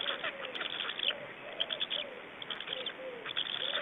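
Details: Nest change-over and feeding of Black storks, Estonia, 24 May 2012 in the evening: scattered scratchy clicks and rasps, with soft low cooing notes repeated beneath them.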